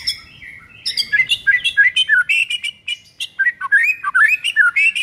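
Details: White-rumped shama song used as a lure to get a silent bird singing: a fast run of varied whistled phrases gliding between high and mid pitch, with short notes several times a second and little background noise.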